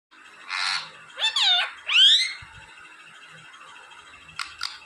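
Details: Pet parrot talking and fluttering against a hand indoors: three harsh, squawky vocal bursts in the first half, the last rising, then quieter background with two brief clicks near the end.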